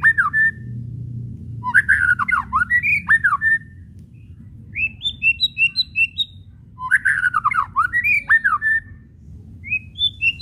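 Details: Whistling and kretekan chatter of a White-rumped shama used to goad other shamas into song: loud swooping downward-slurred phrases near 2 and 7 seconds alternate with quieter strings of short upslurred whistles, low background hum throughout.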